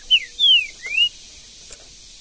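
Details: Green-winged saltator (trinca-ferro) in the woods of Brazil, uttering three clear whistles in quick succession: a short high note, a long descending slur, then a rising one, followed by near silence.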